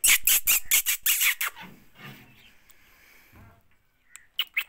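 A parrot gives a quick run of about nine harsh, high squawks over one and a half seconds, then two sharper shrieks after a quiet pause; no clear words.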